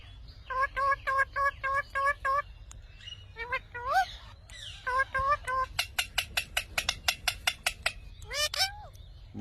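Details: Indian ringneck parrot talking: a string of short, evenly spaced harmonic syllables, some bending upward, then a long burst of quick sharp clicks and a closing swooping whistle.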